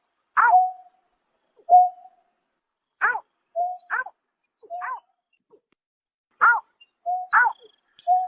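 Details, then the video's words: Greater painted-snipe heard at night during March 2024. Loud falling notes come with short level hoots after them, spaced irregularly, some singly and some in quick pairs. Silence fills the gaps. "Tiếng Chim Nhát Hoa Đánh Đêm Vụ Tháng 3 Năm 2024"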